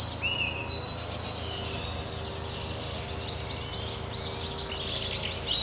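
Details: An Oriental magpie-robin, a garden bird of open country in Malaysia, sings clear, sweeping whistled phrases sliding up and down, over a steady low hum and faint background chirping.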